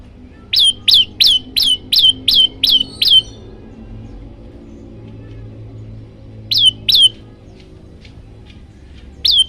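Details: Varied olive-backed tailorbird song from a master recording for training birds: eight loud, clipped notes that rise then level off, repeated about three per second. A few seconds of quiet follow, then a shorter burst of three similar notes.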